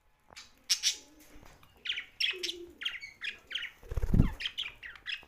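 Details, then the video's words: Young budgerigar chirping: a run of short, bright chirps repeated about every half second, with low cooing from a dove and a thump of wingbeats in the background. "Young Budgie's Sound's"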